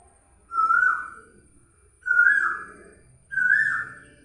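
An Asian Koel gives three loud, ringing whistled notes, each rising slightly, repeated about every second and a half; the background is otherwise quiet.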